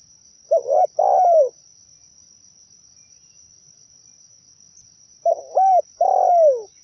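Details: Zebra dove singing for use as a trapping lure; two phrases separated by silence, each a quick double coo leading into a drawn-out descending purr, over a quiet background with a thin steady high tone.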